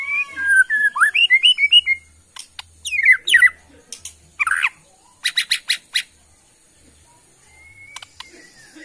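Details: Bornean white-rumped shama from Kalimantan forest stock, a caged songbird, delivering a varied song: quick whistled and rising slurred notes, then harsh buzzy bursts and rattling chatter, a faint rising whistle near the end.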